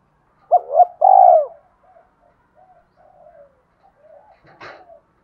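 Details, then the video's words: Single spotted dove coo phrase, two quick hoots then a long, mellow falling note, used to provoke other doves, followed by faint soft coos and a brief knock. "tiếng cu gáy đủ bài nghe là ghiền và dùng kích bổi rất hiệu quả"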